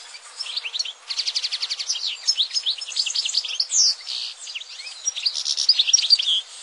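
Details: European goldfinch singing a dense, rapid twitter of high liquid notes, with quick trilled runs and short sweeping whistles tumbling one after another with barely a pause.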